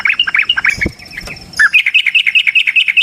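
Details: Sooty-headed bulbul (trucukan) with long 'ropel' fighting song as lure: bubbly chirps, a short scuffling noise, then a rapid even series of bright clipped notes.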